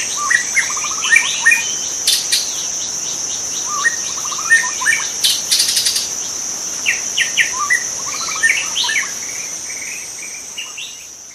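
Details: Wild white-rumped shama in its natural habitat giving a rich, varied song of whistles, trills and rapid chattering phrases, scattered irregularly, with a continuous high-pitched insect chorus and two short buzzy insect bursts.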